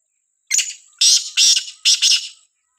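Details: Harsh, scratchy call of a Sindhi black francolin heard in a village: a brief opening note followed by three strong, grating two-part phrases, spaced about half a second apart, in otherwise silent surroundings.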